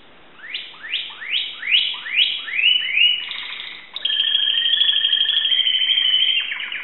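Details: Timbrado canary from Greece singing six slow rising swept whistles, one every half second, then a continuous rolling trill layered over a lower sustained tone.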